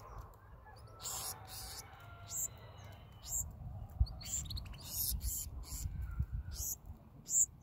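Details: Black-throated sparrows at feeding time, the young begging from adults with sharp, high, breathy chips in irregular clusters, alongside faint tonal lines and low background noise.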